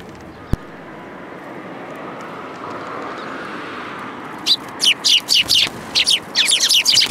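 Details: Sparrows at a Tenmangu shrine on 3 May 2022, coming to a hand for food and competing over it; a steady rumble of traffic-like noise, then from about halfway bursts of sharp high chirps in quick uneven succession.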